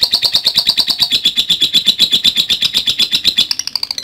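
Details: Lovebird giving the long "ngekek" song used as training material for other birds. A fast, high, chattering trill of rapid pulses runs unbroken for about four seconds and rises slightly in pitch near the end.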